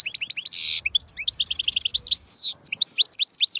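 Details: Fast, liquid twittering song of a European goldfinch: a dense run of high chirps, a harsh buzzy note, tinkling trills and quick rising and falling whistles, with no pauses.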